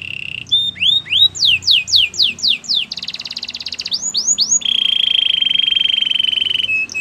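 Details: Canary song moving through phrases: brief trill, then a series of sharply falling whistled sweeps, a fast buzzy roll, upswept notes, and a long steady metallic trill.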